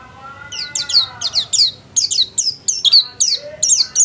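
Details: Brief human voice at the start, then a home-kept white-eye bursts into lively song: quick, very high, twittering downslurred notes in close succession.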